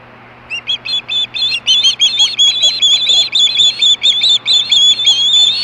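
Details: Osprey screaming for fish, Hellgate, 2014, at 4:19 PM: quiet start, then a quickening series of high whistled chirps, around two per second, rising slightly in pitch and loudness toward the end.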